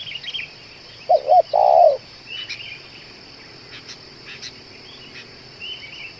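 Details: A spotted dove, described as calling for two hours and good for luring, gives one phrase of two short looped coos and a long harsh coo, followed by quiet chirps of other birds and a steady high hum.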